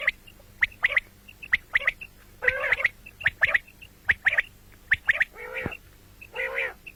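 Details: Common quail heard morning and night: short, sharp whistled notes in quick pairs and triplets, repeated about once a second, broken by a few harsh, broad, rasping calls.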